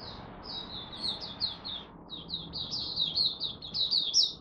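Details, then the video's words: Oriental white-eye (mata puteh) from Malaysia, a hobby cage bird, singing its first warm-up of the day: two long, fast streams of high, sweet, slurred chirps joined into a lively warble, with a brief pause between them. "Malaysian Mata Puteh Buka Sing"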